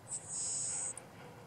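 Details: Le Conte's Sparrow singing in a low-grazed Little Bluestem field in south central Oklahoma: a brief high tick, then a thin, very high insect-like buzz lasting about half a second, ending with one short high tick. Background quiet.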